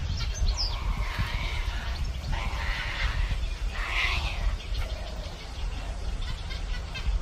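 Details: Black-crowned night heron giving a few hoarse, harsh squawks at irregular intervals, the loudest near the middle, over a steady low rumble of background noise.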